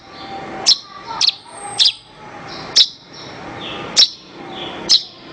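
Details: Master recording of Horsfield's bush lark (branjangan) for tutoring other songbirds: sparse, piercing high chirps spaced about a second apart over a soft background hiss, with faint lower twittering between them.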